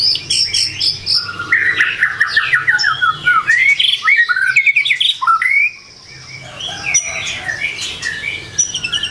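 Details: White-rumped shama singing in the morning: a dense, fast jumble of whistles, chatters and trills, then a brief pause followed by quieter, scattered high notes.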